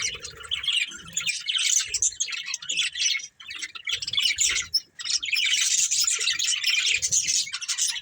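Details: Breeding pair of pet budgerigars chatter almost without pause, a busy high-pitched warbling of squeaks and chirps broken by two brief gaps, with faint low knocks.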